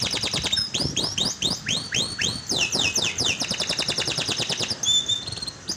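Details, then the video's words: Canary song used to trigger a silent canary: upward-slurred whistled notes repeated rhythmically, then a long rapid chattering trill and a final thin whistle. "pancingan buat kenari macet bunyi"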